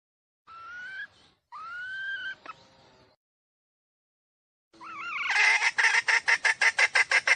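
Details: Decoy hen call for luring wild roosters: two clear whistled notes rising in pitch, a pause, then a wavering note that breaks into rapid harsh clucks repeated about three times a second.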